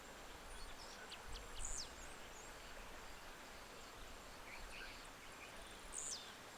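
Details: Black-throated mango (Anthracothorax nigricollis), Atlantic Forest, Brazil, giving two thin, very high chips about four seconds apart, with faint scattered ticks between them, over a steady hiss of background noise.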